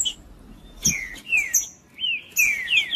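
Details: Rufous-bellied thrush song meant to warm up another bird: a few brief whistled notes, each sliding down in pitch, in two short bursts separated by a pause, with clicks at the start.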